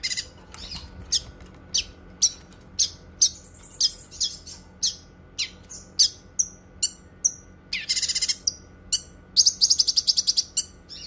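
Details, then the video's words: Cucak kinoi delivering a long run of sharp high chirps at roughly half-second intervals, broken by a whistled phrase and a coarse buzzy burst, ending in a fast rattling trill; used for tutoring and therapy. "Suara Kicauan Burung Cucak Kinoi, Suara Kicauannya Cukup Handal Untuk Masteran dan Terapi."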